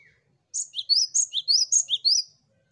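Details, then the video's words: Cinereous tit singing, a recording meant to coax other birds into song: a brief faint note, then a clean run of high, repeated two-part chirps at a quick, even rhythm. "Burung Gelatik Batu Pancing Ombyokan Agar Cepat Bunyi l Zeer melodieuze zang van de Mees (vogel)"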